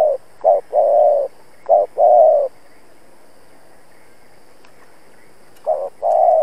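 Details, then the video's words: Spotted dove used as a decoy, calling hard to challenge rivals: low hollow coos in short-long pairs, three phrases, a pause of about three seconds, then calling resumes, in quiet surroundings. "Cu Gáy Mồi Cây thúc gù đấu bổi cực sung\ Cu gáy kích bổi nhanh nổi"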